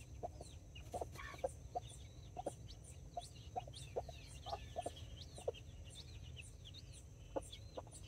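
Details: A backyard flock in Colombia, October 24, 2024: two hens guarding nine chicks, five of them Brahma, four mini chickens. Brief clucks repeat unevenly under a constant chatter of high, wavering chick peeps.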